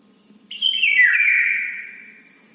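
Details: Morning breakfast-time food request from a bird: one long, strained, downward-sliding chirp that sustains and slowly fades out, with quiet before and after.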